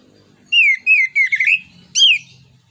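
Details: Orange-headed thrush, called anis kembang or punglor kembang, singing as a stimulus for other birds. A string of clear whistled notes, each sliding downward, then a pause and one more loud falling whistle over a soft low hum.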